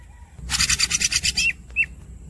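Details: Greater green leafbird (cucak ijo) used as a tutor recording, producing a dense, buzzy, rapid rolling trill lasting about a second. Two short slurred squeaky whistles follow over a low background rumble.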